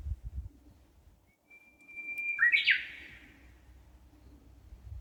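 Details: Clear bird song heard beside a wooded path in a park in Amakusa City, Kumamoto, Japan, during hot early-summer weather: a steady whistled tone leads into a brisk, bright, descending flourish. Soft low rumble in the background.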